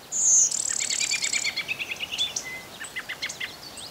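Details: Singing Blue-winged Warbler, Westmoreland County, Pennsylvania, in thicket and meadow habitat: a strong, very high insect-like buzz opens, followed by a string of quick sharp chips from other birds, over faint background hiss.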